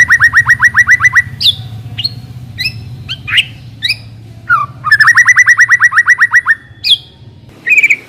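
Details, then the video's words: White-rumped shama song used to lure a shama into song: two long trains of rapid repeated chips about four per second, between rising and falling whistled phrases, over a steady low hum. "Pancingan suara burung murai batu agar cepat bunyi dan ngeplong"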